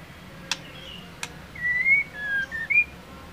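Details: A female white-rumped shama calls to rouse a male into singing. Two sharp clicks are followed by a run of clear whistled notes, one long and rising, then shorter slurred whistles.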